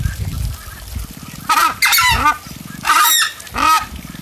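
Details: Captive Southern Screamer at a bird zoo beside a large lake in Poços de Caldas, Brazil, calling to warn of an intruder: four loud, harsh honking calls with a double-note shape, spaced about a second apart over low background rumble.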